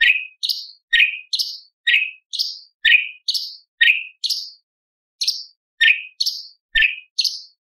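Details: Light-vented bulbul in 'tembakan' song style, reportedly with lovebird, parakeet, prinia and pancawarna fill-ins, giving a steady run of paired chirps, a high note then a lower down-slurred one, repeated about once a second with one brief pause.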